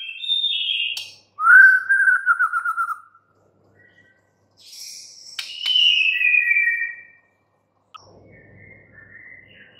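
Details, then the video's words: Song of a white-rumped shama: a high whistle, a loud descending trilled phrase, silence, then a slurred falling whistle with a buzzy edge and a faint final note. "murai batu BISU, STRES, MACET TOTAL bakalan NYAUT GACOR dan Kembali FIGHTER"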